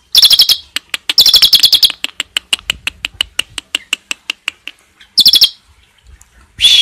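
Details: A captive Asian pied starling with a rich repertoire of learned songs, suited as a tutor recording, gives loud, harsh, squeaky bursts, then a fast run of dry clicks about six per second, and ends with more harsh outbursts.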